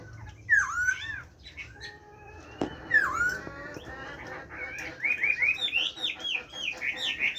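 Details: Caged Chinese hwamei with a forest-style song, loud swooping whistles, separated by pauses, building into a fast series of repeated rising and falling whistled notes.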